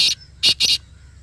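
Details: Short burst from a black francolin heard close up: one harsh, buzzy note, a brief pause, then two rasping notes in quick succession.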